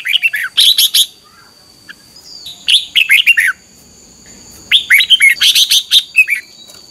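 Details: Morning lure song of a red-whiskered bulbul in the 'ché căng' competitive style; three bursts of sharp, bright whistled chirps separated by brief pauses, with steady high tones running behind.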